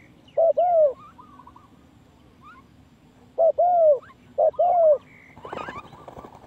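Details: Spotted dove coos played to lure birds for trapping: three spaced phrases, each a short note then a longer mellow coo, followed by a burst of rustling noise.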